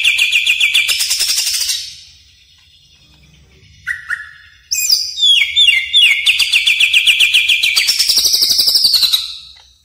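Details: Greater green leafbird lure sound used for training caged birds: long rapid trills of bright whistled notes, a pause, then a short whistle and another fast, descending trilled series.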